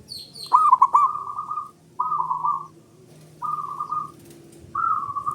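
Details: Male local zebra dove song meant to coax silent doves into singing: a quick rippling cluster of coos opens, then three separate sustained cooing phrases follow at roughly one-second gaps, with a few thin high chirps at the very start.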